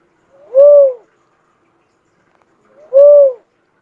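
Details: Cuckoo-dove giving two clean, low hooting coos about two and a half seconds apart, each swelling and gently arched after a soft lead-in note; otherwise silent background.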